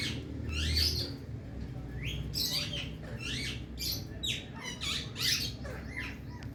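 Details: Indian talking parrot, happy mood, making a busy stream of harsh, raspy squawks and chirps over steady low background hum.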